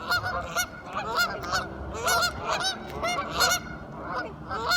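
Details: Curious ducks talking loudly up close, giving strong nasal harmonic quacks in rapid bursts of several calls, with short gaps between bursts.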